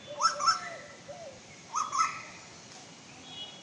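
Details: Asian koel female giving paired sharp, scratchy call notes twice, about one and a half seconds apart, with faint lower whistled slurs from another bird in between.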